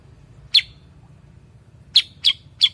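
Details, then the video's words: Cucak kurincang, a bulbul also called kutilang sutra or kuniran, giving one sharp chirp, then after a pause a quick series of three similar high, downslurred chirps. "kicau cucak kurincang"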